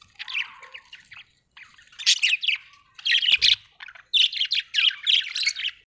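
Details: Happy budgerigar chirping in quick bursts of bright, scratchy, warbled notes, grouped in clusters with brief pauses between bouts, growing louder and denser toward the end; no other sounds heard.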